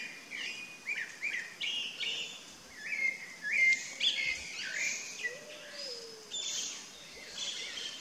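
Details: Chalk-browed mockingbird singing a lively, varied run of short whistled and chirping phrases, some slurred and a few harsher, delivered nearly nonstop at mid-high pitch with brief gaps, over a faint steady background hiss.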